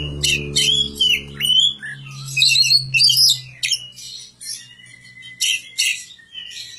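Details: Magpie-robin in village care singing bright, varied phrases: loud whistled slurs mixed with scratchy chirps in short bursts about a second apart, over a low droning hum that fades partway through.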